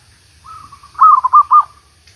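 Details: Zebra dove luring wild doves for trapping after a week of continuous rain: a soft drawn-out coo that swells into three loud, rolling staccato notes.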